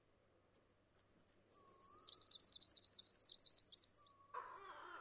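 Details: Red-backed fairywren in Australia giving four separate piercing high notes, then a rapid, sustained, shimmering high reel of about two seconds. A soft lower whistle sounds beneath it, and a brief burst of lower noise follows at the end.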